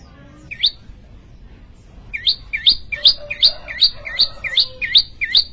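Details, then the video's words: Prenjak lumut prinia singing vigorously: a single early note, then a steady run of about ten sharp, upswept chirps, roughly three per second, each rising to a high ringing tip, over faint low hum. "prenjak lumut gacor"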